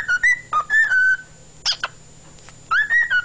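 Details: Pet cockatiel singing on 16 February 2011, clear whistled phrases that rise and fall in short runs, a pause with brief sharp chirps, then the whistled phrase resumes; steady low hum underneath.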